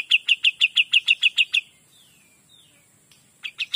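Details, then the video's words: Pied Triller singing in lively 'gacor dor' style: a fast run of about twelve sharp, identical chip notes, evenly spaced at several per second, then soft faint upslurred whistles and a couple of closing chips. "KAPAS TEMBAK GACOR DOR"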